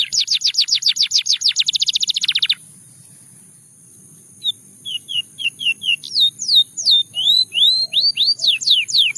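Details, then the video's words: Russian singing canary, song intended to attract other canaries: a fast rattling trill, about two seconds of near silence, then soft short whistles building into louder rising and falling slurred notes. "A Special Canary to Seduce All The Canaries - The Russian Singing Canary"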